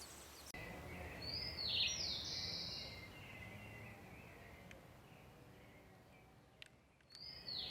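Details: A seedeater (corbatita) nestling begs while being fed by its parents, giving short, repetitive high, thin notes that slide downward, in a short burst and again near the end, over steady outdoor background noise.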